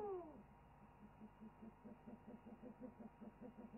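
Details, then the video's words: Owl on a wildlife webcam during a chorus: a loud downward-sliding call opens, followed by a long series of soft, low, rapidly repeated pulses. "After an owl chorus, PPO preens and settles down"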